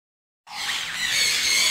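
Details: A lory eating dragon fruit gives a harsh, hissing screech that starts abruptly after a brief silence and holds steady, rough and high-pitched, to the end.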